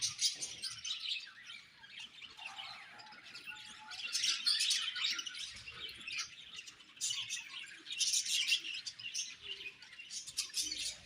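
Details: A happy budgerigar colony chirps in waves, bursts of dense high twittering and warbling that swell and fade, louder in the middle and near the end.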